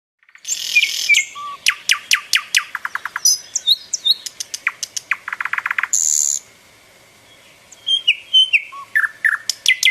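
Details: Nightingale singing in summer: a varied, loud phrase sequence of rapid repeated clicks and notes, sweeping high whistles and buzzy trills, with a brief pause before the song resumes with sharp rising notes.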